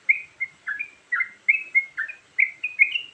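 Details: Varied Sooty-headed bulbul song used to lure birds: clear, throaty, rising and falling chirps about three per second, over light background hiss.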